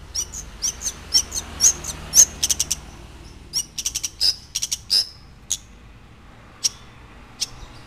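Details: Long-tailed shrike in lively full song: sharp, high clicking and chattering notes in quick irregular bursts, some thin whistled accents, pausing briefly midway, over a faint low hum.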